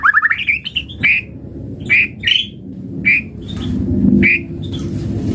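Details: White-rumped shama song used as a lure to prompt other birds to sing. A quick rising run of whistled notes leads into loud, clear whistles about once a second, while low, rumbling traffic-like noise builds underneath.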